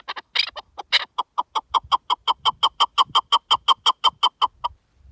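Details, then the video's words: Partridge heard in the wild: a few rough, excited notes open an accelerating run of crisp, evenly spaced clucks, nearly three per second, that stops abruptly after about four seconds. "Pure Partridge Calls in the Wild"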